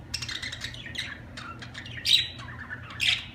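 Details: Budgerigar chirping: fast, scratchy chatter leads into two loud, bright squawks spaced about a second apart.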